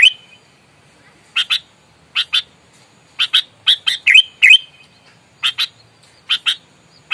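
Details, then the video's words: Sooty-headed bulbul in aggressive fighting mode, used as a lure to provoke rivals: harsh, buzzy chattering notes given in pairs and short bursts with pauses of about a second, over a quiet background. "Kutilang gacor, galak, tarung, full suara alam, bikin emosi lawan"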